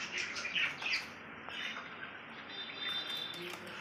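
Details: Lovebird, tagged Kolkata, giving sharp, squeaky chirps and harsh chatter, several bursts a second, high-pitched and irregular, over a steady background hiss.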